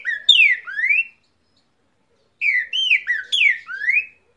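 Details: Cockatiel singing an imitation of a great thrush's song: bright whistled phrases of rising and falling slurred notes, two bursts about a second long separated by silence.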